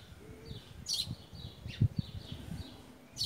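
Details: Wild creamy-bellied thrush feeding on garden fruit, September 2018 afternoon, smartphone recording. A sharp high chirp, then dull thuds and rustling, another chirp cut off at the end, and faint twittering behind.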